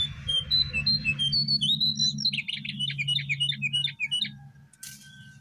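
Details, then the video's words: Male brown prinia singing, used as training audio to make birds sing: rapid high whistled notes run into a fast stuttering series of chips, with a low hum underneath. "Suara danMasteran jongkangan /cingcoang coklat"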